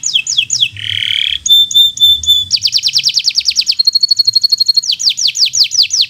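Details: Bottle-green local canary song for birds learning to sing: falling sweeps, a harsh buzzy roll, thin piping notes, then fast trills of downward chirps and a high steady rattle, ending in further swooping notes.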